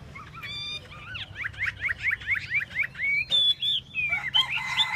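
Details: Tail-dancing Chinese hwamei delivering a quick series of repeated upslurred whistles, about nine in a row, then a pause and higher drawn-out whistled phrases. A faint low hum continues throughout.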